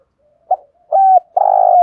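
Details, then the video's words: Spotted dove calling as a lure for decoy birds: a short low note, then a clipped coo and a long, loud, steady coo, each phrase stronger than the last. "Tiếng chim cu gáy thúc gù bài bản dùng kích bổi và tập mồi hiệu quả"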